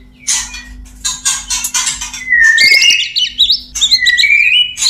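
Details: Male white-rumped shama singing to a female: rough, scratchy chatter gives way to sliding whistles and fast, warbled twitters that loop up and down.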